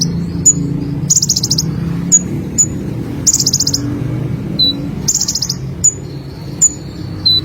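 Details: Olive-backed sunbird, locally konin or kolibri, singing vigorously: very high buzzy trills repeated alternate with sharp, thin down-slurred tsip notes, over a steady low rumbling hum.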